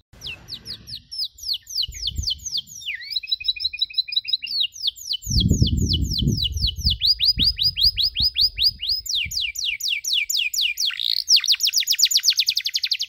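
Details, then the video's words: Domestic canary on a tutor recording for young canaries learning the cuit-cuit chirp: fast high trills and rapid repeated downslurred chirps, with a brief buzzy rolling phrase near the start and soft low thumps underneath. "MASTERAN KENARI SANGAT COCOK UNTUK PAUD YANG LAGI BELAJAR BUNYI CUIT CUIT"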